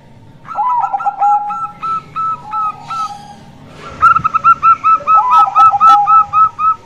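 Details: Local female zebra dove whose voice is used to draw males: two bursts of quick ringing coo notes with downward-sliding lower notes, separated by a quiet pause with faint rustling.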